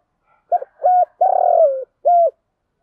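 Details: Spotted dove used as a cooing decoy to lure wild doves: a brief note, a short level coo, a long pulsing coo gliding downward, then a closing short coo, close and clean.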